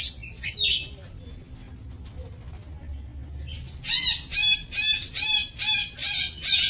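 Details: Lovebirds in an aviary breeding cage, recorded 7 June 2024; after a quiet start, a run of loud, harsh harmonic squawks repeats about twice a second over a low background hum.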